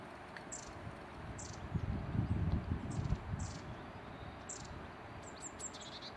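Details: A single long-tailed tit at Redmires Woods, Peak District, UK, gives very high, thin, short notes, several over a few seconds, some in quick clusters, over a low wind-like rumble.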